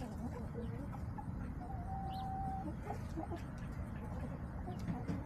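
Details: Backyard hens recorded by a chicken camera on October 5, 2024. A drawn-out, even-pitched note holds for about half a second amid quieter scattered clucks, with a constant low hum underneath.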